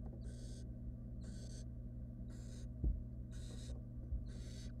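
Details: Wild barn owl nestlings begging while being fed a rodent by the female in a nest box, five drawn-out breathy hisses at even intervals, one soft thud, low background hum.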